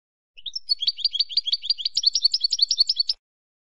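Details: Goldfinch singing in a silvestrismo recording: a rapid, bright twittering run of about twenty repeated high chirps, accelerating slightly and lifting in pitch near the end, with no background noise.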